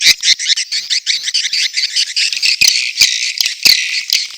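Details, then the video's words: Swiftlet mating calls together with chick calls: pulsed, buzzy high chirps in quick bursts of several per second, then a smoother twitter punctuated by a few loud sharp clicks. "SP.BIRAHI+ANAKAN+RBW 1"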